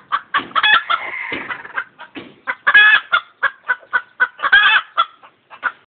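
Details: Chicken clucking and screeching: dense, irregular clucks overlapping with drawn-out harsh squawks, the calls crowding together with little silence between them.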